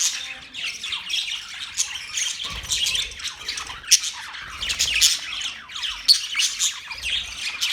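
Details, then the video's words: Budgerigars chirp continuously in a dense, busy chatter of high warbling twitters and scratchy notes, several birds overlapping, with brief louder squeaky accents throughout. "Budgie chirping sound"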